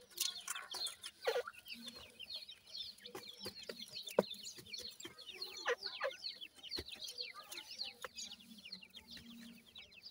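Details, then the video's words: Many francolin chicks cheeping together, a steady stream of brief high downward-slurred notes with no pause, punctuated by clicks and a faint low hum. "irani teetar chicks ki best awaaz,Dakhni pheasant chicks"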